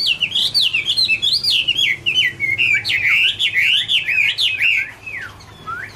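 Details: Garrulax canorus, the Chinese hwamei, pouring out its "Autumn Love Song" (2017): rich, wavering whistles swooping up and down in rapid succession, then fading after five seconds to a final rising note.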